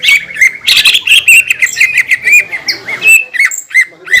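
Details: Green leafbird in animated song used to provoke other green leafbirds: rapid string of squeaky whistled notes and chips, a harsh burst early on, varied short phrases continuing to the end.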